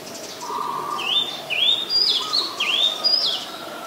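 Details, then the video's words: Oriental magpie-robin, Ubon Ratchathani, Thailand, 7 January 2021, filmed on a Nikon P1000; four or five clear sliding whistles, rising then dipping, with a soft lower trill underneath. "นกกางเขนบ้าน (Oriental Magpie Robin)"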